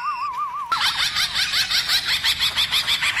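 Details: Black-throated laughingthrush with a varied 'forest voice' song for stirring up other laughingthrushes: a clear trilled whistle wobbling evenly, then a loud burst of dense, bright repeated notes, about three per second.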